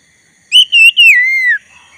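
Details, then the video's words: A single loud, clear whistled phrase from a black-breasted Oriental magpie-robin, sung to draw a rival into singing: two short notes, then a long whistle sliding downward over about a second. "Kacer dada hitam gacor untuk pancingan agar kacer lawan ikutan bunyi"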